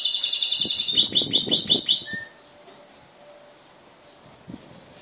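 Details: Blue and white timbrado canary singing: a bright, high, rapid trill, then a run of about six quick rolling notes, a short lower whistle, and near silence afterwards.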